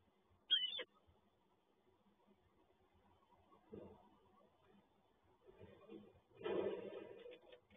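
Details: Peregrine falcon at the PGE Toruń nest site, where the male tends the female and brings food deliveries through the day: a single harsh, high, rasping call under half a second, then low rumbling background noise and a loud scraping burst near the end.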